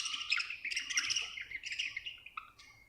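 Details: Happy pet budgerigar chirping; a continuous stream of fast, scratchy, high-pitched warbled chatter for about three seconds, fading slightly toward the end.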